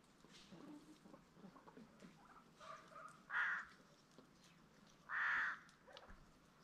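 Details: Peafowl on a farm keeping green and Spalding peafowl: two loud, harsh, honking blasts about two seconds apart rise above a quiet background with faint distant bird chatter.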